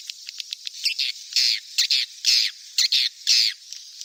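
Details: Swiftlet chick calls for luring swiftlets to roost: short high ticks, then a series of harsh, buzzy bursts about half a second long, each separated by brief gaps.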